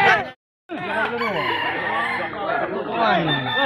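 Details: Red junglefowl crowing during a contest judged on the number of crows in a set time; after a brief gap, overlapping drawn-out crows with falling, arched notes sound over low background voices.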